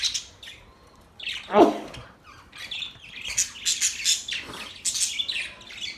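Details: Budgies chirp in scattered, high twittering phrases, with one lower, louder squawk near the start and busy chatter building afterward.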